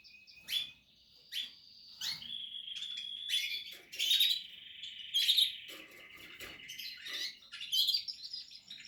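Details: Nesting chicks of captive Portuguese harlequin canaries: sharp high chips punctuating long wavering whistled notes, with bursts of buzzy twitter.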